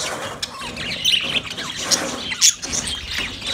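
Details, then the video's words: Budgerigar sounds while calling another budgie: scattered sharp chirps and clicks over a steady hiss, with a couple of louder squeaky peaks near the middle and end. "Budgie sound when call other Budgie"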